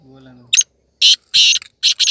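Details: A tame female black francolin (kala teetar) with her chicks in breeding season gives harsh, grating, high notes in an uneven run of about five bursts, with a brief low human voice at the start.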